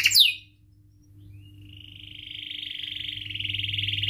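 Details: Canary in full song, used to prompt and teach young canaries: a sharp chirp, a brief pause, then a long, high, buzzy rolling trill that grows steadily louder, over a low steady electrical hum.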